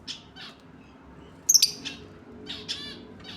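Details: A pair of lovebirds giving short, shrill squawks and chirps at irregular intervals, with the loudest cluster of sharp notes midway and quieter buzzy chirps before and after, in a quiet indoor setting.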